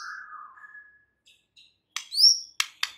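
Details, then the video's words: White-rumped shama song played as training material to rouse other shamas into singing: a low whistled note, brief silence, then sharp clicks and a rising high whistle. "Dengan CEPAT murai batu AKAN EMOSI dan IKUT GACOR dengan MASTERAN murai batu ini"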